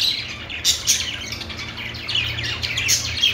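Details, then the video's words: Budgerigars singing softly in a continuous twittering chatter, broken by a few sharp, louder chirps, over a low hum. "budgies singing | budgie sounds | parakeet chirping sounds"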